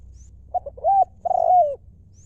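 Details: One complete lio mor lam phrase by a wild spotted dove decoy bird in Thailand. Clipped opening coos lead to an arched coo and a long, slightly vibrating falling coo over a faint low hum.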